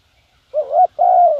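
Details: Cooing phrase from a decoy spotted dove luring wild birds: a swelling, bent first note rising into a pause, then a sustained mellow coo that sags slightly at its end, with almost no background noise.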